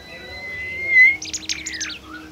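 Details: Bimoli bird, a shy and rare species, in a lure recording: a long steady whistled note rising slightly, then a burst of rapid high chattering notes and a falling slurred whistle.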